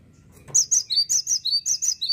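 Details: Cinereous tit giving a fast series of sharp, high, two-part notes, each dropping slightly in pitch, repeated about seven times over two seconds against a faint low hum.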